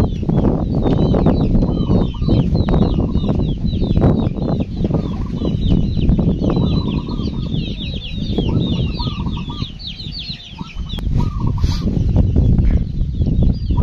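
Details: Local zebra dove singing in a cool rural village on a morning, its cooing phrases near mid pitch repeated throughout, partly masked by steady low rumbling noise and the high twittering of other birds.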